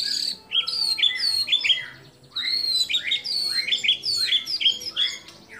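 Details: Energetic singing from a white-rumped shama, mixing in imitations of kapas tembak, cililin, lovebird and canary for training other shamas: rapid series of clear downslurred whistles and chattering notes, in two bursts split by a short silence.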